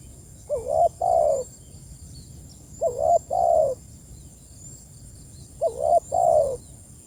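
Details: Spotted dove calling to its companions, giving three low two-part coos about two and a half seconds apart. Each has a brief wavering lead-in and a fuller drawn-out second note. A thin high hiss runs underneath.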